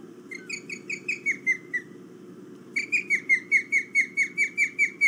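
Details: Early-morning ospreys circling before one settles on a perch, August 2017: two bursts of shrill, evenly repeated downslurred whistled cheeps, the second longer run of about twelve notes louder, above a low steady rumble.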